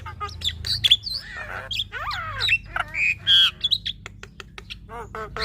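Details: Female Javan myna in chatty full-fill song: a rapid medley of harsh squawks, sliding whistles and short clipped notes, with a dense burst near two seconds and a steady low hum underneath.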